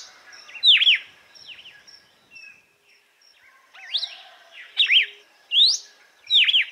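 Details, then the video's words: Açoite song of a red-cowled cardinal for training birds: one strong swooping whistle, a lull of quiet notes lasting about two seconds, then four loud slurred whistles in quick succession. "GALO DE CAMPINA Canto AÇOITE para ESQUENTAR e TREINAR"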